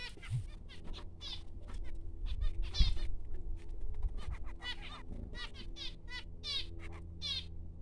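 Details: Tiny newborn finches calling almost nonstop: sharp, scratchy, high-pitched chirps in quick uneven runs, with a soft low background hum.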